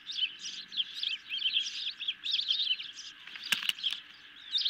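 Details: Ospreys at their nest late at night on 10 July 2021, hungry as a medium-sized fish arrives: dense run of shrill chirps and piping notes, interrupted near the end by a couple of sharp knocks.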